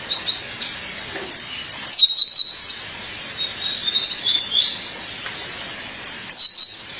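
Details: Female Violaceous euphonia calling her mate: high, thin chirps and short bright twittering bursts, some in quick clusters, separated by brief pauses, with a faint background hiss.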